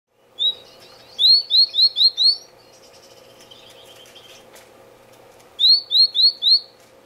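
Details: Red-billed (Senegal) firefinch calling close up in an indoor, non-breeding community aviary, February: short, high, sweet rising notes, one then quick runs of four or five, about four per second, with soft chatter between.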